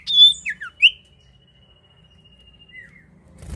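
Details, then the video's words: Common iora (cipoh) calling to prompt other birds: several quick slurred whistles, a long thin steady whistle, a brief falling note, then a low thump. "sirtu atau cipoh gacor manjur buat pancing bunyi burung bahan"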